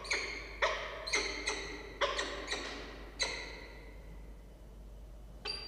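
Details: Falcon at a camera-watched nest on 6 October 2023 at 16:43, with two chicks hatched days earlier and a third egg pipped; a series of harsh, rasping, harmonic notes about twice a second, each echoing, then quieter with a final burst.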